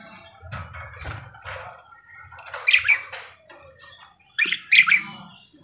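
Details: Actively singing parakeet giving two short bursts of harsh, squawky chatter a couple of seconds apart, with soft low thumps and rustling between them.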